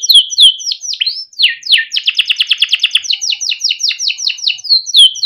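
A Timbrado canary sings a fast, bright song of slurred whistled notes, then a rapid trill, then swooping repeated phrases.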